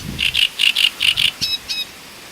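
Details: Great reed warbler singing near Voronezh, Russia, recorded in 2012: a short run of harsh, grating syllables repeated in pairs, followed by two thinner buzzy notes, over quiet background.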